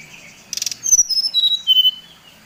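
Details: Brief song of a brown-chested jungle flycatcher from Bali, used to anger other birds: a short buzzy rattle followed by clear whistled notes falling step by step.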